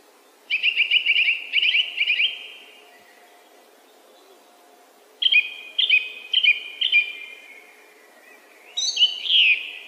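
A song thrush sings bright, clear phrases, each short note group repeated several times in quick succession, with pauses between phrases and a faint low hum behind.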